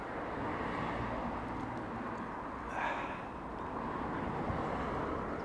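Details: Steady broadband outdoor noise like a passing vehicle or distant aircraft, with a brief rustle near the middle and no animal sound.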